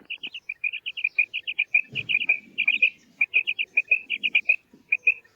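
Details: Maadi batair, a female quail, calling: a dense, near-continuous stream of high chirping notes in pairs and triplets, with a few soft low background sounds.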